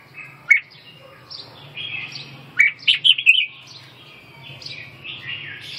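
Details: Red-whiskered bulbul giving a few sharp chirps and a brief burst of lively warbled notes, then softer, scattered whistles over a steady low hum.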